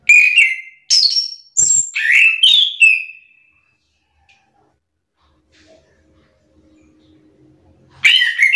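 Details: Orange-headed thrush, roused into call-and-answer singing: a quick run of five loud, rich whistled and warbled phrases over three seconds, a quiet pause with faint murmur, then another loud phrase begins.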